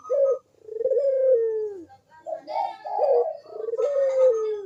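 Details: Ringneck dove (puter) cooing energetically. The recording is used to prompt reluctant doves to sing. A short coo comes first, then a long, low, falling coo. After a pause, a rougher coo phrase ends in another long, descending note.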